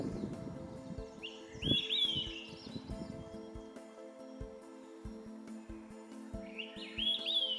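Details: In spring 2025 (April–June) in Nova Scotia, an Olive-sided Flycatcher, found in the same area as Canada jays, gives two loud whistled 'quick-three-beers' phrases a few seconds apart, each slurring up to a high note, over soft background music.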